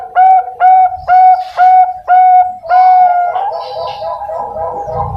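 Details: Caged juvenile Bangkok zebra dove from East Java giving six evenly spaced, flat whistled notes about half a second apart, followed by a smeared, noisy passage.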